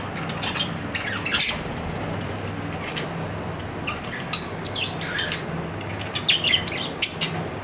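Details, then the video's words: A pet budgerigar gives sporadic short squawks and chirps with long quiet gaps, over a faint constant hum. "My Australian parrot | Budgerigar"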